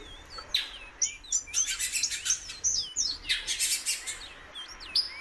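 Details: Female Great-billed Seed-Finch calling persistently, giving quick hooked and upslurred whistles, several per second at times, over a busy background of sharp clicking and chirping bursts.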